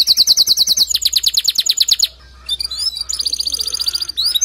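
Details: Male canary song intended to push a female into nest building: rapid repeated chirps forming a high trill, a brief pause, then softer scratchy notes and another faster trill.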